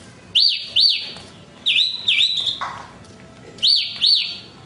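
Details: Horsfield's bush lark song: loud paired whistled notes, each arching up then down, given in quick doublets with short gaps, plus a brief flat lower note near the middle; faint background hiss.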